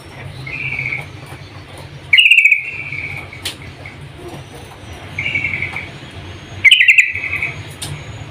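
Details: Sooty-headed bulbul female calling to the male, heard as two loud, short bursts of fast chattering notes separated by softer trilled phrases and quiet background hum.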